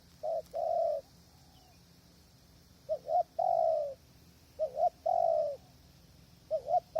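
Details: Calling spotted dove used to lure wild doves from a hide on a windy day: three phrases, each a short double coo then a longer falling coo, spaced about two seconds apart, with a soft steady hiss.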